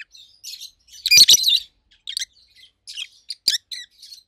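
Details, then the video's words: Two adult pet rosy-faced lovebirds over a year old, a red-headed green opaline and a white-headed pallid aqua opaline, give loud, shrill, harsh chirps in bursts, with one squawking flurry and several sharp high notes. "Rosy-faced Lovebirds Call Sounds"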